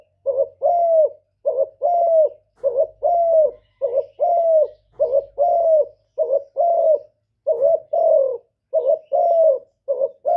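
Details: Spotted dove cooing: soft, low, hollow coo notes in pairs and short groups, repeated steadily for ten seconds with brief pauses between them and a faint low rumble at times.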